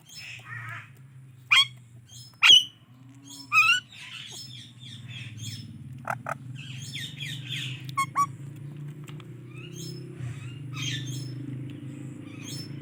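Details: Indian ringneck parrot giving scattered sharp squawks and short chirps, spaced a second or so apart, then quieter chatter over a steady low hum.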